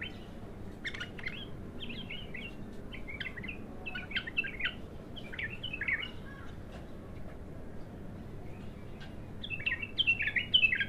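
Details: ['Raw bulbul in its first bout of singing gives scattered clusters of quick twittering notes. The notes bend up and down, with short pauses between groups, and end in a louder, brighter burst.']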